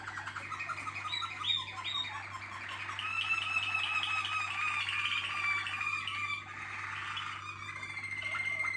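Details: Group of Waterslager canaries singing densely: overlapping bubbling trills and gurgling rolls at several pitches, nearly continuous throughout, with a brief dip before more sustained rolling notes.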